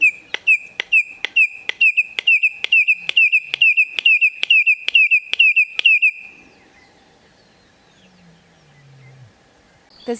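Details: A Red-crested Korhaan, a ground-dwelling bird of open grassland and savannah in Kruger National Park, gives its repetitive, monotonous call: about seventeen sharp, piping whistles, roughly three per second, then stops. Faint low rumbling follows.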